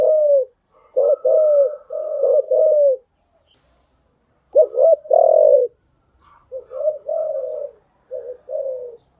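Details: Lure cooing of a spotted dove for training freshly caught birds: three bursts of low, mellow coos, each phrase with short notes and a longer falling coo, gaps between.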